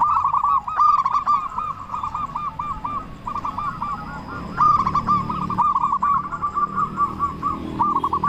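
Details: Local Indonesian zebra dove, a frequent singer with a big voice, used as a lure to get other doves singing: nearly continuous rhythmic coo notes in chained phrases over a noticeable low background rumble.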